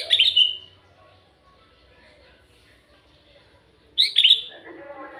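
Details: Sooty-headed bulbul (kutilang alas) giving a rich, liquid, whistled burst, then quiet, then a second bubbly phrase that drops into lower, warbling notes.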